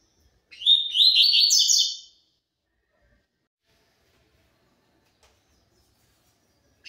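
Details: Single rapid phrase from a double-collared seedeater in the tui tui zel zel style, about one and a half seconds of high, repeated chirped notes, then several seconds of quiet with faint clicks.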